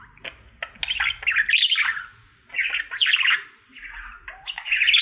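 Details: Pet budgerigar, a male, singing his daily routine: bursts of chattering, scratchy warble with squawky notes and clicks, broken by short pauses about every second and a half, in a quiet room.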